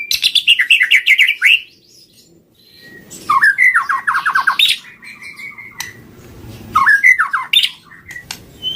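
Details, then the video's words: White-rumped shama song used as a trapping lure: bursts of rapid descending whistled notes and harsh squawky phrases, repeated three times with short pauses, close and loud. "Suara pikat murai batu"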